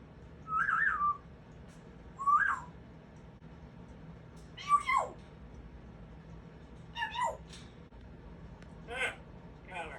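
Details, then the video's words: A pet Congo African grey parrot sings six clear, warbling whistles spaced every couple of seconds, one sliding steeply downward, with a quiet low hum underneath. "Congo African Grey parrot vocalizes"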